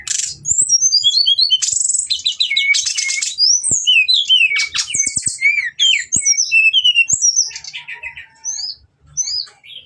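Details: Brown-chested jungle flycatcher song used as a lure to provoke fighting, nretet, ngeplong and nembak styles: a dense, fast, varied stream of sharp whistled slurs, rising and falling notes and rattling trills, with scattered low clicks.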